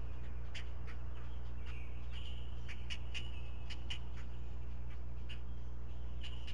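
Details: Four great blue heron chicks at the nest during a breakfast feeding, 16 May 2017; spaced sharp clicks and a short rising chatter over persistent low hum.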